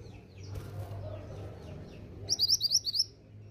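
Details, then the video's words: Female pied bushchat calls to get males responding: a rapid run of about seven bright, high chirps near the end, preceded by faint thin notes and low hum. "BURUNG MANTENAN GUNUNG BETINA GACOR UNTUK TARIK RESPON BUNYI MANTENAN JANTAN"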